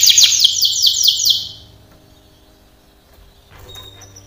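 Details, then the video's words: Canary training song opening with a bright, rapid trill of repeated high notes for over a second, then near silence with a faint, thin whistle near the end. "canary singing / canto Canario cantando | canary training song"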